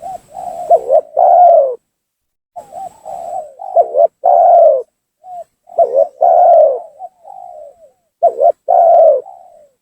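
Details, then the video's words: Trapping lure from a spotted dove, meant to force rivals down and anger them: four coo phrases over about ten seconds, each with stuttered short notes building into a long resonant coo and soft falling extras. "suara pancingan gacor tekukur memaksa menurunkan lawan,bikin emosi lawan."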